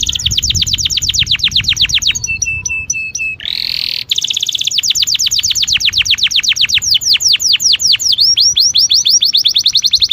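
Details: Canary song used to stimulate canaries in breeding condition to mate: very loud, rapid trills of repeated notes, a brief harsh buzzy burst midway, then fast downward-sweeping trills again.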